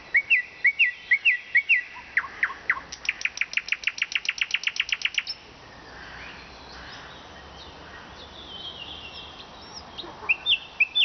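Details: Vologda, Russia: a nightingale delivers paired whistled phrases, then a long, fast, evenly spaced rattle of clicking notes, falls silent for several seconds and resumes with high whistles.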